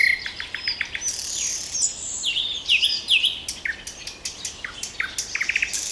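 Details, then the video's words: Song of a common nightingale: clipped notes and rapid sweeping whistles, a burst of squeaky rising notes midway, then a quick stutter of repeated chips; more birds sing in the background. "Трели соловья"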